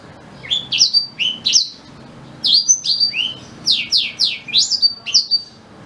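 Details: Black-throated canary song, used as a tutor for white-rumped shama: three clusters of rapid high chirps and slurred whistles with short gaps between them, the last cluster the densest and loudest.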